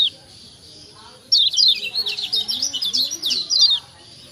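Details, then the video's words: Lombok kecial kuning white-eye 'ciak ciak' call, used to provoke reluctant birds into calling. After a quiet first second, one dense run of thin, high, descending chirps follows, with faint low murmuring underneath. "Ciak ciak Jos Kecial Kuning Ampuh Merangsang Bunyi Jadi Rajin Bunyi"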